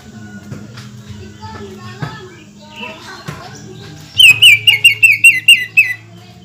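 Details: Greater green leafbird song used to provoke other leafbirds: after a few seconds of quiet clicks and hum, a loud volley of about nine identical sharp, whistled notes fires off in close succession.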